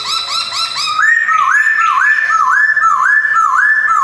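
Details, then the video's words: Caged male white-cheeked black-throated laughingthrush (Poksay Hongkong) in Jogjakarta, 2021, singing loud, looping whistled phrases. Quick rising-falling notes repeat about four times a second and step up in pitch midway, with faint ringing overtones. "BEAUTIFUL POKSAY BIRD GARRULAX CHINENSIS SINGING"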